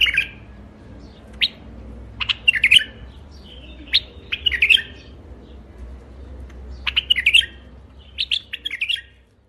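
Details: A White-eared bulbul in a rooftop garden sings short, bubbly, liquid warbled phrases with sharp chirps, in irregular bursts every second or two over a faint low hum.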